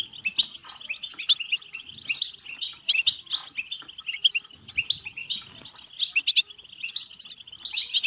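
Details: European goldfinch batbata song used to stir goldfinches to sing and breed: sustained tinkling twitter, groups of bright high notes alternating with softer rolling chatter and brief gaps.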